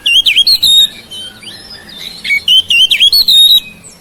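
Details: Caged oriental magpie-robin (kacer) at home, its song used to coax silent birds to sing; clear warbled whistles in quick groups, a short lull, then more looping whistled phrases.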